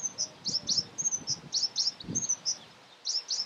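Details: African blue tit (Cyanistes teneriffae degener), Fuerteventura, Canary Islands, Spain, February 2017, giving very high, thin, quick notes, about three or four per second in uneven bursts, with a few soft low thumps underneath.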